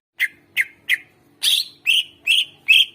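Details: Greater green leafbird in lively song for prompting quiet birds to sing: seven sharp, bright chirps given about three per second, the later ones longer and ringing, against a soft steady hum.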